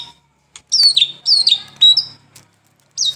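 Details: Sparse White-rumped shama phrases from a morning and evening lure recording: a few high, clear, downslurred whistles spaced about half a second apart, with silent gaps between.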